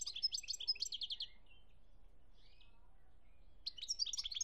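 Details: Algerian European goldfinch recorded in 2017 gives a quick burst of bright tinkling twitters and short trills, falls silent for a couple of seconds, then resumes with another rapid jingling phrase.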